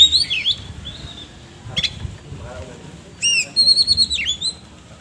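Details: Oriental magpie-robin (kacer) singing the rough filler style: a twisting whistle, then a lull with faint low murmuring, followed by a series of bright repeated whistled notes and a downslurred flourish.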